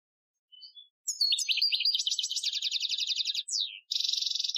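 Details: Algerian goldfinch training song from 2015: faint soft notes, then a fast run of sharp twittering and buzzy repeated notes, a downslurred note, and a final rapid high trill.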